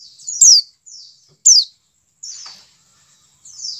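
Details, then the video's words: White-eye call for making captive birds sing: two loud, very high downslurred chirps followed by softer drawn-out buzzy slurs. "CALL PLECI DAKUN cepat menjadikan pleci buka paruh."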